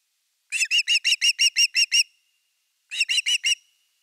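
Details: Osprey calling at a camera-watched nest on 30 August 2021, evening, with a fish brought in: nine rapid, ringing whistled yelps in a run, a short pause, then four more of the same.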